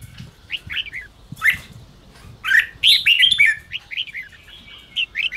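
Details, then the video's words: Red-whiskered bulbul chatter used to rouse newly caught caged birds; scattered sharp ticks at first, then a bright cluster of warbled, rising slurs, trailing off into faint notes over low background rumble. "chào mào ché kích bổi căng lửa"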